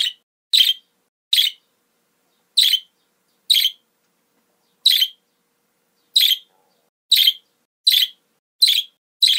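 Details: A budgerigar gives short, scratchy, high chirps, repeated about once a second with quiet gaps between; the recording is played to pet budgerigars to encourage them to sing.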